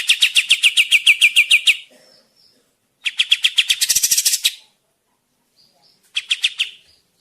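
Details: Lively kapas tembak song for luring in the forest or training caged birds: a fast run of ringing chirps, a pause, then a chattering series that breaks into a buzzy high burst, and a final short chirp group.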